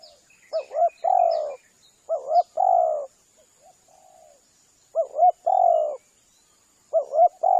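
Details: Spotted dove lure calling, with three double-note-then-long-coo phrases roughly every two to three seconds, a faint soft coo between them, and a few high chirps early on.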